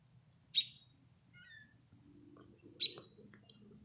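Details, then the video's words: Bird perched in a tree, chirping away: two sharp high chirps roughly two seconds apart, with faint thin twitters between them and a low background rumble. "Bird in tree chirping"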